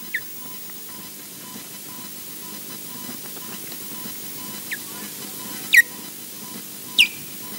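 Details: Osprey pair at the Loch Garten nest in Scotland, seemingly defending it: scattered short, piercing whistled calls, one faint early and three louder ones near the end, set against constant hiss and a soft beeping tone.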